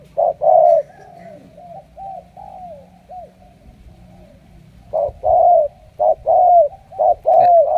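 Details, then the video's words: Spotted dove, a wild-caught bird praised as a super cooer; loud paired coos, then several quieter trailing falling notes, a pause, and renewed steady low cooing about once a second. "Tuyển đồng siêu gù"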